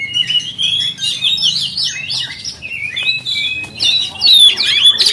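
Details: Oriental magpie-robin singing as a lure to provoke other magpie-robins: rapid chattering twitters building into loud, ringing whistles toward the end.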